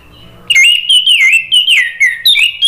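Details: Orange-headed thrush song, played to get another bird singing. A continuous, loud string of fluty, wavering whistled phrases with quick pitch slides, after a faint low opening.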